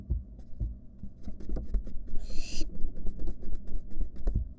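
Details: A wild barn owl sibling in a nest box lets out a single harsh hiss lasting about half a second, amid rapid tapping, thumping and scuffling.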